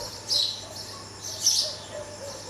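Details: Red-vented bulbul fledgling, rescued from a cat and relocated upstairs, fed by visiting parents; Canon 80D camera. Two loud, high, slightly drawn-out chirps about a second apart over a soft insect hiss.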